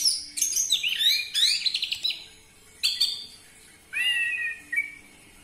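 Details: Orange-headed thrush lure song used to provoke singing in captive birds: a fast tumbling run of high, looping whistled notes, a sharp chip, then a slurred whistle falling and levelling off.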